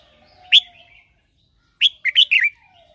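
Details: Caged red-whiskered bulbul used as a lure bird, singing in the morning to call others: a sharp note, a pause, then a quick run of four bright, warbled notes, with faint thin whistles of other birds behind.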